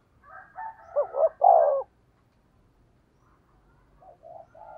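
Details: Spotted dove decoy calling to lure wild doves: soft low coos, then two short clipped notes and a longer, louder falling coo, with faint coos following after a pause.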